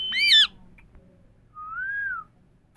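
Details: Indian parrots talking: a short, loud, arching harmonic squawk, then after a pause a softer whistle that rises slightly and falls away.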